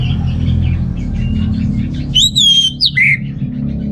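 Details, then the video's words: Orange-headed thrush, used to trigger males lacking breeding drive: a short clear phrase of bright ringing whistles and a downslurred ending rising out of a steady low background hum. "ANIS MERAH Gacor Untuk Pancingan AM Jantan yang Kurang Birahi"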